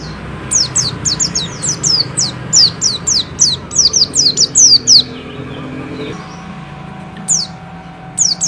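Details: Persistent song of a Bustomi white-eye: roughly twenty quick, high, falling whistles in a tight burst lasting five seconds, then a lull with two isolated notes near the end, low hum underneath.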